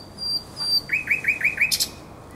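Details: Common nightingale singing at night on the Żerań Canal, 23–24 April 2022: high thin whistles, then a run of five quick repeated upward-swept notes ending in a sharp bright burst.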